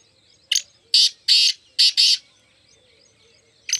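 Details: A black francolin among four birds gives a rasping, scratchy phrase: a short opening note and four longer grating notes, then one more note after a pause.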